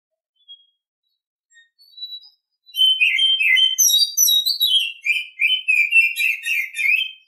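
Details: An Oriental Magpie-Robin sings in the morning. Scattered thin notes lead into a long, loud run of sweet whistled phrases and quick chattering trills, delivered without a break for about four and a half seconds.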